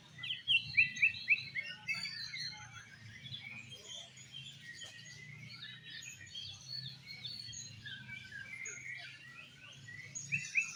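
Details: Caged Oriental magpie-robin (kacer) competing in a bird singing contest with an 'exotic' style: quick bursts of bright rising whistled notes at the start and end, between which many competing birds keep up a steady high chatter over a low hum.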